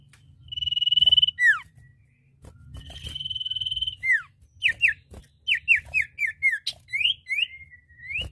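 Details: A male and female Common Iora call back and forth: two short steady trills, each ending in a falling whistle, then a rapid series of separate downslurred and rising whistled notes, roughly four per second.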